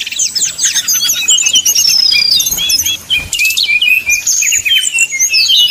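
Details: Rival-provoking 'nyuling' song of a brown-chested jungle flycatcher; sharp high whistles and long sweeping slurred notes interleaved with fast trills, sustained with one brief lull near three seconds.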